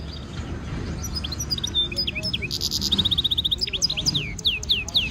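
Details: Stimulation song from a singing European goldfinch mule hybrid in training: scattered high chirps and slurred notes, then a fast even trill. Looping down-slurred whistles follow over a noticeable low background rumble.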